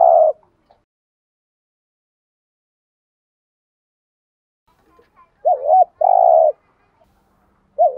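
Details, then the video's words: Spotted dove used as a lure, thúc gù cooing. A hoot cuts off at the start, then a long silence. Later comes a wavering double note and a sustained coo, and a new phrase begins right at the end. "chim cu gáy thúc gù/ chim cu gáy mồi có giọng bài bản/ cu đất thúc gù"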